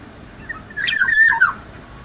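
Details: A single mellow whistled phrase from a black-naped oriole in full song, rising, wavering and dropping within about a second, set against a faint constant hum.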